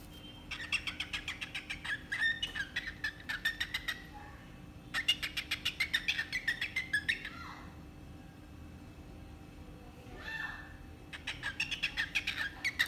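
A cockatiel gives rapid bursts of bright, chattering chirps separated by short pauses.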